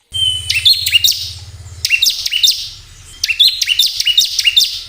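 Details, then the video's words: Bar-winged prinia song used as a lure to stir caged birds into quick, energetic singing: two bursts of high, sharp chirps and short upward-flicking notes with a brief pause between, over a low electrical hum. "pancingan ciblek agar cepat bunyi"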